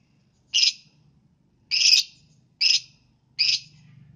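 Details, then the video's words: Lovebird singing in the morning to set off other lovebirds: four loud, raspy chirps at irregular spacing, each a short, harsh burst, with a faint low hum beneath. "Pancingan Lovebird di pagi hari"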